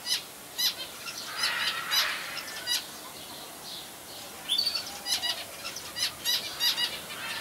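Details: Zebra finches in a zoo aviary at Jaderpark, Jaderberg, Germany, 2017, give short, nasal, toy-trumpet calls, repeated irregularly in quick bursts.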